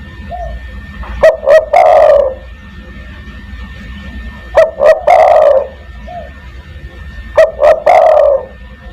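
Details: Spotted dove in lively 'kuk 1' style, used as a lure to call other doves: three loud coo phrases, each two short clipped notes and then a long rolling note, about every three seconds, with soft distant cooing between.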